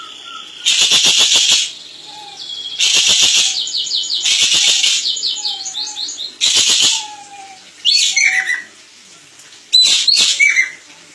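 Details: Crested jay, master recording for training birds: loud rapid rattles repeated several times, with a series of slurred high notes between them and soft low whistles underneath, then a few sharp upward-sweeping calls near the end.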